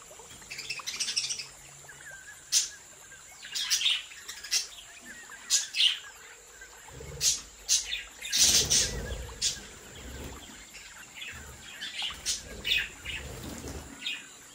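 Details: Australian budgerigars from a home breeding aviary, a flock calling with many quick high chirps and squeaky notes in irregular runs, some wing flutter, and a faint steady hum behind.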